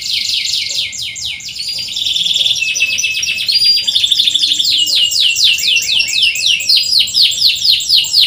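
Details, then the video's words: Loud canary singing for training birds that rarely sing: a long unbroken stream of fast repeated chirping notes, steady and rattling, growing more pulsed toward the end. "PANCINGAN BURUNG KENARI SUARA CUIT CUIT COCOK UNTUK MASTERAN BUAT YANG SUSAH BUNYI"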